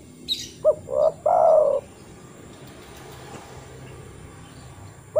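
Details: Spotted dove luring call, which wild birds use to call other doves. One phrase: a short note, a rising second note, then a long low coo. High chirps sound just before it, and the next phrase begins at the close.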